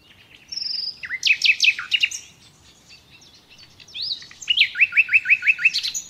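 A common nightingale sings two rich phrases: a whistled note, then fast repeated liquid chirps, about six to eight per phrase, high and ringing.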